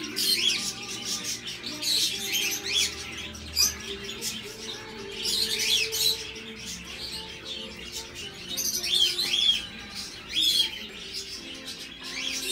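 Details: Tame young sun conures born in Thailand, filmed in a bird shop, give harsh, high chattering screeches in bursts every few seconds over soft background music.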